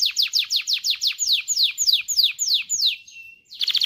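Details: Canary singing to stimulate mating in canaries: about a dozen loud descending whistled sweeps at an even pace, a thin held note, then a quick rattling burst.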